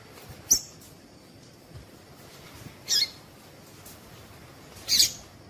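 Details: Sparse high chips from a female coleiro tui tui, or Double-collared seedeater, three notes roughly every two to two and a half seconds, a call used to prompt males to sing.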